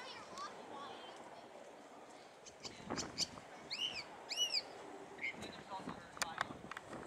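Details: A California thrasher (Toxostoma redivivum) at Cabrillo Point sings a varied run of short phrases, with two bright, arched whistled notes repeated in the middle, over a steady hiss of background noise.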